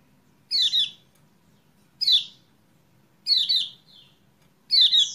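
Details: Kecial kuning, a recording used as a lure to restart a caged bird's singing; four bright double chirps falling in pitch, roughly every 1.4 seconds, with a brief softer note after the third.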